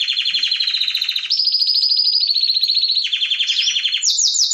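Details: A canary delivers loud continuous rolling trills, stepping up and down in pitch, and ends with a series of rapid sweeping slurred notes.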